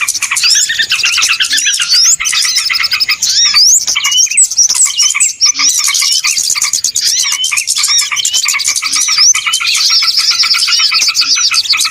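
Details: Lure recording for catching small birds, a noisy chorus of rapid repeated chirps, squeaky rising whistles and harsher squawky notes running throughout, with a few short breaks.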